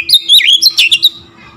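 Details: Brief Oriental magpie-robin phrase aimed at provoking other magpie-robins: a quick string of bright, high, swooping whistles, loud and clear, fading into a faint steady hum.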